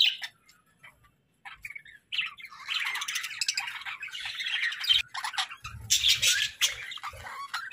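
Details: Pet budgerigars chirping in short bursts, starting with a brief squawk, a pause, then a busy stretch of scratchy high warbling and twittering, with some low thumping noises partway through.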